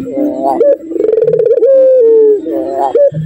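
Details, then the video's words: Puter dove singing the kiw kiw cukurukuk style rated level 7: low, mellow coos with a trilled middle section and a long, slowly falling held note, followed by more soft coos. "Burung Puter Empuk Jeruu Kiw Kiw Cukurukuk Level 7 - The Unique Sound of the Puter Bird"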